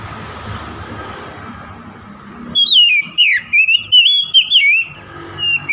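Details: Oriental magpie-robin rival-provoking song: quiet background hum for over two seconds, then a rapid string of clear, looping whistles and sharp slurred notes.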